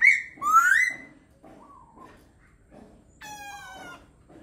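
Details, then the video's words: A laughingthrush sings loud, clear whistles that slur upward, then falls quiet before a short, rich, reedy note, over a faint low background hum. "Khướu hót hay"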